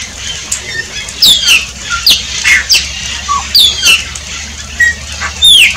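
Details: A shiny cowbird gives a string of sharp, buzzy bursts and short down-slurred whistles, each a half second or so apart, ending in a bright, high swooping note.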